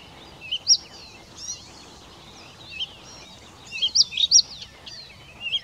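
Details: Blyth's reed warbler singing: scattered short bursts of high, thin slurred whistles and quick twisting notes, grouped in brief phrases with pauses between, over a faint steady background hiss.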